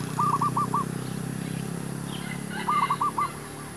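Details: Zebra dove song, recorded while luring wild doves to a trap: two quick series of four or five rolling, arched cooing notes about two seconds apart. A steady low hum and faint other chirps sit in the background.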